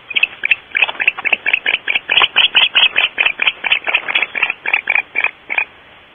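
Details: Starr Ranch barn owls in their nest before dawn, 5:45 am on 8/5/13, give a steady series of about twenty harsh, chittering notes, roughly three per second, evenly spaced and sustained for nearly six seconds.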